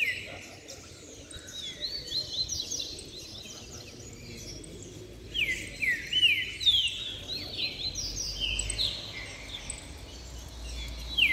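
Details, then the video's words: Caged canaries (called canário-da-terra) singing: bright, high chirps and quick downward-sliding notes in lively, overlapping bursts over a low steady hum; two, then three birds sing, and the plump one moves to the back of its cage while singing. "Canário Na Baderna Top Canto e Fibra!!!"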